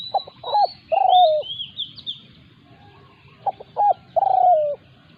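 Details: Spotted dove decoy in Thailand, attacked by a territorial wild bird. Short paired notes precede a long descending coo, and the pattern repeats twice. High thin whistling from other birds is audible.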